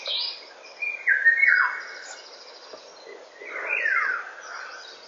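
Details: Eurasian golden oriole singing at 8:15 in the morning on 19 May 2013: two fluty, liquid whistled phrases about two and a half seconds apart, with faint higher chirping from other birds in the background.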